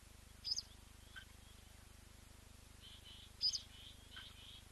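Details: Blacksmith lapwing with leucistic chicks newly hatched within the last 24 hours, filmed on a webcam: two sharp, high chirps about three seconds apart, with fainter thin peeps in between over a steady low hum.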